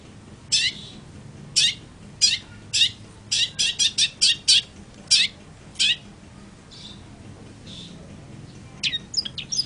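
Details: Long-tailed shrike delivering a series of sharp, rasping notes, fast at first and bunched in the middle, then fading to fainter calls near the end.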